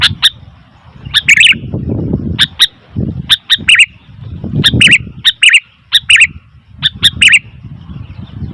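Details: Sooty-headed bulbul chattering noisily, with clicks and paired bubbly chirps repeated every second or so over a steady low rumbling background.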